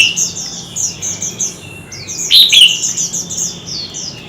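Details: White-rumped shama in a fierce singing duel with many voices, kept birds: a steady backdrop of high, quick, repeated chirps, broken by one brief loud whistled, warbled phrase near the middle.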